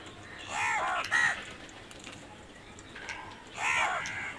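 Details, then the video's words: Crows cawing: a pair of rough, arched caws in quick succession, a pause, then another loud caw near the end. "Crow sounds"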